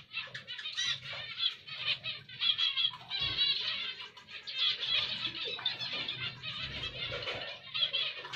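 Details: Continuous nasal chattering from zebra finches, many buzzy notes overlapping in quick succession over a low background rumble.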